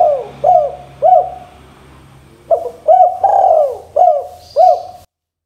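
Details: Spotted dove calling steadily to prompt answers from other doves: three short coos, a pause, then a longer phrase of mellow coos with one drawn-out sliding note.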